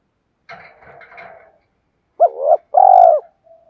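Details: Caged lure spotted dove of the thổ sấm voice type: a brief rustle and scratching opens, then after a pause a short wavering coo followed by a longer, full, resonant coo.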